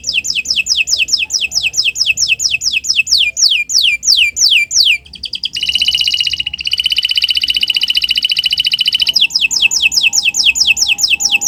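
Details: Canary song for use as a master tutor recording: a series of rapid descending whistled sweeps, then a buzzy harsh trill of about three and a half seconds, ending with more descending sweeps.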